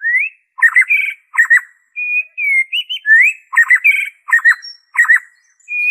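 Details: Shama song in original form without imitations, used to prompt kept and wild shamas to sing: alternating rising whistled slurs and clipped doubled phrases, delivered almost continuously with brief gaps, clear and close.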